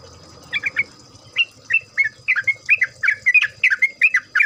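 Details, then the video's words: Yellow-vented Bulbul singing as a lure recording: irregular bubbly, slurred chirps starting sparse and then crowding into quick chattering groups, with a low rumble and a steady high hum in the background. "pancingan trucuk bahan ombyokan.., pancingan trucuk agar bunyi, trucukan ropel, trucukan gacor.."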